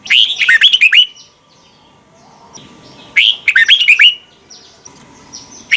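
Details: Red-whiskered bulbul song, Thailand, played so young birds learn it: two rich, bubbling phrases of rapid whistled notes about three seconds apart, with faint thin sounds in between and another phrase starting at the end.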